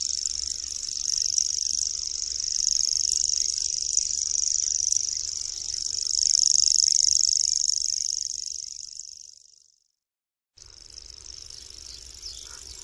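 A common grasshopper warbler reels a high, dry, insect-like trill that runs unbroken for several seconds.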